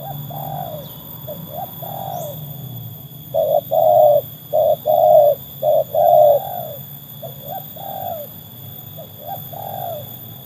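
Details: Trained spotted dove tested against wild doves. Soft, low cooing phrases repeat throughout. A louder burst of five quick steady hoots in the middle stands out among fainter coos before and after.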